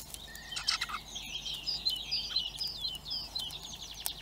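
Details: Hungry blackbird chicks in Recke, Germany, calling for food: a dense chorus of thin, high, wavering squeaks and chirps overlapping continuously, with a few soft clicks.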